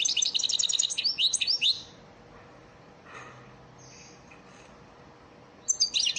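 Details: European goldfinch training song (ders) for caged birds: bright, high twittering phrases of rapid trills and tinkling notes for about two seconds, then a quiet gap with faint soft notes, and a new burst of twitters at the end.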